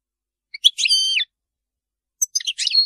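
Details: Two short phrases of European goldfinch Maliki-style song: high tinkling notes leading into a drawn-out buzzy whistle, then after a gap a burst of quick twittering chips.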